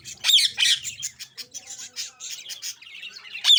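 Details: Budgerigar chirping: continuous squeaky, warbling chatter of rapid high notes, with louder bursts at the start and end.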